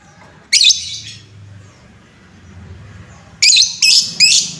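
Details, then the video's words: Lovebird lure sound meant to rouse other lovebirds, one sharp shrill burst, a pause of nearly three seconds, then three rapid harsh squawks in quick succession; a low hum underneath. "Suara pancingan lovebird Bahan, menaikan emosi lovebird"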